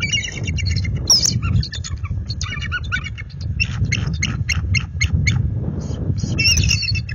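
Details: Resident bald eagle pair defending their nest at night from an intruding adult eagle in February: dense overlapping high chattering and piping calls throughout, over steady low rumbling noise.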